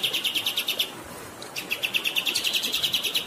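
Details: Two bursts of fast repeated chirping from a kapas tembak bird, separated by a short pause, sung over the continuous sound of running water.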